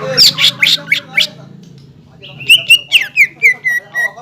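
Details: Green leafbird singing to provoke rival birds, said to mimic the black-capped kingfisher, the white-rumped shama and the oriental magpie-robin. Five rapid sharp downslurred notes come first, then after a pause a series of clear whistles falling steadily.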